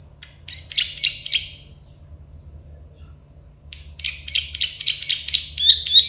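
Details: Plain prinia, known locally as prenjak sawah or the klik-klik bird, singing in a recording made to train other birds. Two bursts of dry, rapid clicking notes come at about four per second, with a two-second gap between them, over a steady low hum.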